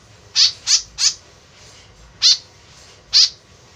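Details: White-breasted woodswallow in free-flight keeping, its call used as a lure: a quick run of three harsh, nasal notes, then two more spaced singles. Low rumble in the background.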